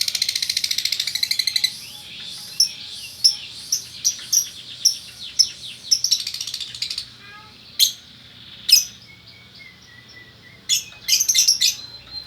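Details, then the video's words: Male and female lovebird pair from Bukittinggi, West Sumatra, singing lively: a fast buzzy chatter opens, then sharp high chirps and squeaky notes with short pauses, and a final burst of rapid chirps. "Burung Lovebird Jantan Betina Bukittinggi Gacor"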